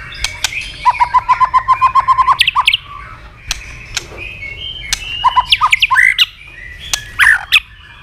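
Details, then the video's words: Tail-flicking white-rumped shama singing a fast, tense fighting song: a steady run of about a dozen evenly repeated whistled notes, followed by varied sharp slurs, clicks and bright phrases. "chòe lửa đập đuôi liên tục kích thích lửa hót đấu nhanh căng"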